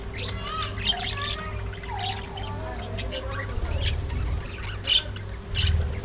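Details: Budgerigars during early morning feeding time, a busy flock chatter of quick chirps, warbles and sharp clicks, with low thumping and a constant low hum underneath.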